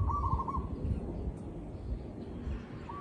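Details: Zebra dove recorded in the field, giving one rolling, trilled cooing phrase of rapid staccato notes at mid pitch, with the start of a second phrase at the end over a low background rumble.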